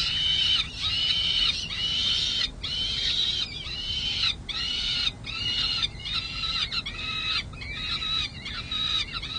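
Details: Several peregrine falcon chicks on a San Jose City Hall nest, 23 May 2022, getting feisty and demanding lunch: loud, grating, repeated wailing screams in quick overlapping bursts, roughly one per second, with faint low background rumble.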